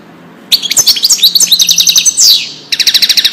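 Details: European goldfinch, Wedani song meant for young birds to learn: a quick jumble of chirps and rising whistles, a brief buzzy slide, then a rapid string of sharp repeated chips.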